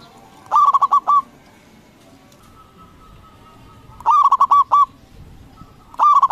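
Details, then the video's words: Zebra dove, a strong-voiced local bird used to provoke replies from rivals, repeats rattling phrases of rapid coos every few seconds, with a faint steady tone between phrases. "Perkutut lokal Gacor Suara BESAR bikin Cepat Emosi Lawan Auto Nyaut Seketika"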